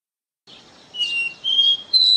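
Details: Caboclinho (capped seedeater) in the pure 'Ré Mi' song style: a soft buzzy start, then three pure, level whistles climbing in steps, the last loudest and highest, with no other sounds.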